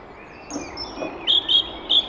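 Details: A song thrush singing in the UK in spring, filmed from a hide in early morning: three short, bright, piping notes about a quarter-second apart after a faint thin high whistle, in quiet outdoor air.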